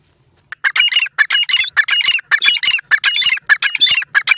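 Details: Dakhni teetar, the grey francolin, calling loudly: a dense, grating run of harsh notes repeated almost twice a second, uneven in spacing, starting after half a second of silence and continuing to the end.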